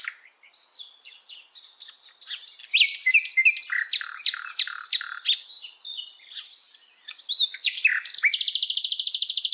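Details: ['Flycatcher singing in wild forest: a varied run of sharp, high chirps and rapid downslurred notes, building to a dense burst, then ending in a fast, buzzy, very high rattle.']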